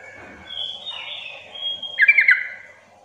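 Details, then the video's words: Sooty-headed bulbul lure call to get silent bulbuls calling: after a drawn-out thin whistle from another bird, a quick gurgling phrase of several liquid notes rings out near the end. "pancingan agar trucukan bahan cepat gacor bunyi Sahut sahutan"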